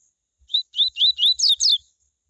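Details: Coleiro (Double-collared Seedeater) singing a "tui tui" style song used to stimulate other coleiros to sing: a short whistled phrase of about six clear notes, starting steady, then rising slurs that break into a quick jumble of higher notes.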